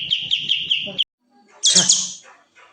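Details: Kapas tembak in breeding condition with tail spread, singing: a short run of repeated high trilled notes that stops abruptly, a pause, then a sharp high harsh burst fading out.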